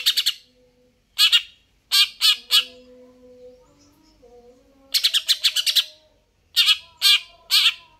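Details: Greater green leafbird in gacor form, singing harsh scratchy bursts that come singly, in pairs, and in quick runs of five or six notes, with quiet gaps holding faint whistles.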